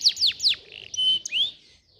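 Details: Canary song played as a tutor to prompt canaries to sing: three loud sharply falling notes, then a held level whistle and a rising sweep, fading to quiet.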